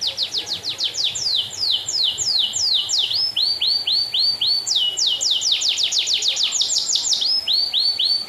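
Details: Canary singing vigorously, kept as a tutor song for training other songbirds: quick series of high downward-sweeping notes, then rounder rising-falling slurs, repeated in fast runs of about three per second.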